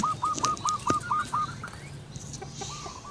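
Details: A local female zebra dove sings while perched, calling to its mate. It gives a rapid string of six clipped, ringing coo notes. A fainter, drawn-out coo follows, over a low background rumble.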